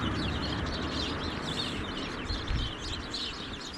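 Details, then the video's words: A big flock of house sparrows, probably feeding in bushes beside a road on the edge of Walton Park near Preston, chirps continuously in overlapping, busy bursts over strong low rumbling traffic or wind noise. "You can hear a big flock of sparrows."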